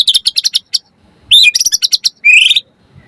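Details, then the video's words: Lively white-rumped shama song used to provoke other birds into singing, with fast runs of short high chirps, a slurred whistle, and a rising buzzy ending. "Pancingan Murai Batu Langsung Nyaut Auto Bunyi Cpt Gacor Full Isian Buat Masteran Suara Burung Murai"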